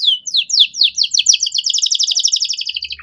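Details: Canary master song with luxurious phrasing: a rapid trill of downslurred notes that speeds up into a dense, even, high rattle lasting about three seconds.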